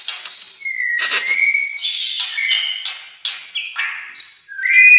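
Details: Indonesian white-rumped shama, an albino or blorok colour mutant, delivering a varied song of level whistled notes alternating with harsh, noisy bursts, ending in rising whistles.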